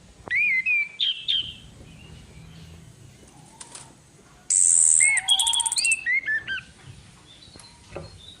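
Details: Lure recording of a female orange-headed thrush: varied clear whistled phrases with upslurs, a harsh loud buzzy burst, then more jumbled whistles and chirps, with quiet gaps between.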